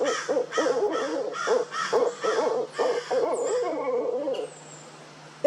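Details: One of a pair of Barred Owls in a Florida park in the morning, mobbed by calling crows, gives a quick run of short, throaty hoots, about three each second, rising and falling in pitch for four seconds, then quiet.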